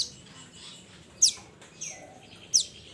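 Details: Mountain minivet calling to its companions: two loud, high, thin downslurred chirps about one and a half seconds apart, with a softer note between them and background hiss.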